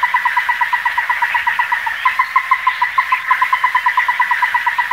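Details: A Ruddy-breasted Crake (Zapornia fusca) calls, a fast series of hard, evenly pitched notes, several a second; the run briefly stumbles, then carries on steadily against a quiet background.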